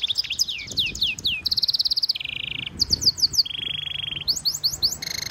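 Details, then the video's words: Singing goldfinch mule, a hybrid, with stimulation song: bursts of quick downslurred notes alternate with sustained buzzy trills at different pitches, lower and higher, in a lively unbroken sequence. "European goldfinch Singing Mule -Training - Jilguero Mulo - Carduelis carduelis - Stimulation song"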